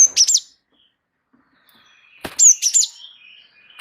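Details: Java sparrow in continuous song, meant to coax other birds into singing: clusters of high, bright chirps open the passage and return after a pause, followed by a soft trailing note.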